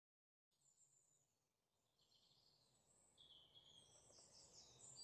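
Green bee-eaters giving soft, high, trilled chirps in quick rippling runs, faint against a steady hiss of outdoor background noise.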